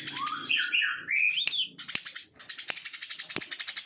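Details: Plain-throated sunbird singing a chatty 'ngebren' song: a twisting whistled phrase with a rising sweep, then a long, fast high trill punctuated by sharp ticks.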